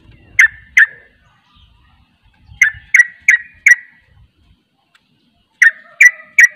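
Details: Sooty-headed bulbul (trucuk) giving a 'ropel' burst of song that reportedly makes other bulbuls join in: groups of two, four and three loud, explosive notes spaced about 0.35 seconds apart, with faint low rumbling early on.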